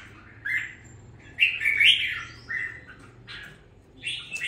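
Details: Caged red-whiskered bulbul, bought as a young bird and kept for two weeks, singing short warbled phrases with a few sharp clicks between brief pauses; a low hum runs underneath.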